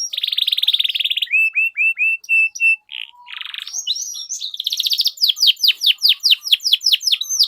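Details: Long, vigorous canary song used as a lure for training young canaries to learn sounds: buzzy trills near 2–4k, short whistled notes, then a run of rapid descending chirps repeated about twice a second.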